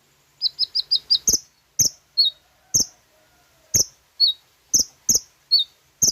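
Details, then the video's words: Sooty-headed bulbul song for training caged birds: a quick run of five thin upslurred notes, then sharp high notes and downslurred whistles spaced irregularly about half a second apart. "PANCINGAN SUARA KONIN FULL ISIAN HITUNGAN DETIK PASTI NYAUT DAN GACOR"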